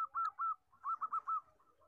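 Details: Zebra dove, the common fourteen-tail-feather kind, singing for bird luring: soft rolling coos in two short bursts with a brief gap, fairly faint against light background rustle.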